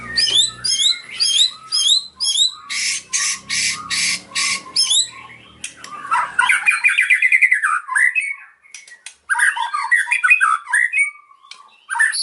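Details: White-rumped shama singing cililin mimicry. Harsh repeated squawking bursts about twice a second give way to tumbling chattering notes and quick rising whistles, with brief gaps.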